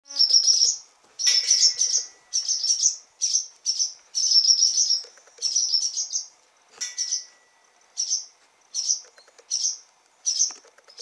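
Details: Barn swallows in a stable on 28 June as fledglings take their first flights and frantic parents fly about, giving high, squeaky twittering chirps in short bursts, about one every second, with nothing else heard.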